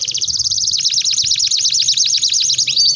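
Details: Canary song recorded as a training master: a sustained, very fast high trill of repeated swooping notes, steady and unbroken throughout.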